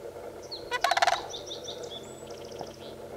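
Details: A pair of sandhill cranes duet in a brief, loud rolling rattle of about seven rapid, rich notes. Faint high chirps from smaller birds follow.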